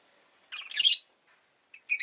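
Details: Rosy-faced lovebirds, two together at an entrance, let out a long grating squawky chirp, then a short chirp and the start of another harsh burst.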